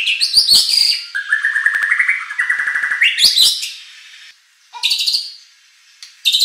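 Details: White-rumped shama song used to rouse contest birds to reply: dense harsh chattering opening, a steady stepped trill, then short loud harsh bursts separated by pauses.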